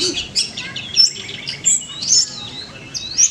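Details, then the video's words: Long-tailed shrike singing at a bird singing practice contest in Manden: sharp, high chirps and short whistled notes in separate bursts, some sliding up or down, with a quiet background. "CENDET SUPER EDAN!! Gacor BONGKAR ISIAN"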